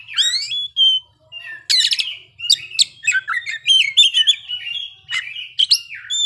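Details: Oriental magpie-robin singing ngeplay and showing its isian repertoire. A long, varied, unbroken stream of whistles, trills and chattering notes sits mostly high in pitch and is clear and close.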